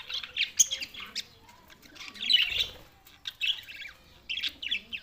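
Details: Budgerigars in Larkana, Sindh, recorded June 7, 2024, with bursts of scratchy chirps and squawks separated by short quiet gaps.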